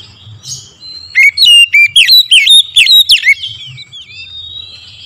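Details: Kacer, or oriental magpie-robin, singing a morning lure song: a quick, tight burst of varied whistled notes lasting about two seconds, framed by softer high trills and low murmuring.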